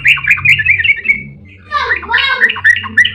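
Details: Yellow-vented bulbul in a fast 'ropel' song used to prompt other bulbuls to sing: a quick chattering phrase, a short lull, then a harsher burst of bubbling notes.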